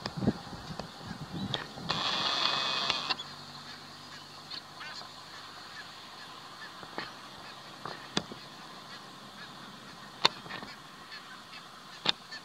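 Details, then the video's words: Barnacle geese in Waterland, the Netherlands, in May 2020: a dense, harsh burst of overlapping flock calling lasts about a second, then fades to a steady background chatter broken by sharp clicks and scattered short notes. "Barnacle Geese/Brandganzen"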